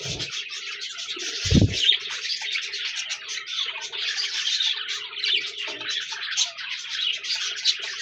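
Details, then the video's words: Budgerigars in a busy flock, a continuous mass of warbling chatter and short chirps with scratchy notes, plus a low murmur and a brief thump partway through. "Budgies Birds talking sound | Birds chirping sounds"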